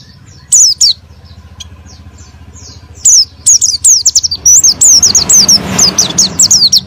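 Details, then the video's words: Oriental white-eye song used as a lure to rouse a reluctant bird into full singing: rapid, high, thin chirps and twittering slurred notes that start sparse, then grow into a dense run, with a motorcycle engine rumbling at the start. "PANCINGAN PLECI MALAS BUNYI BIAR BISA GACOR NGALAS & NEMBAK"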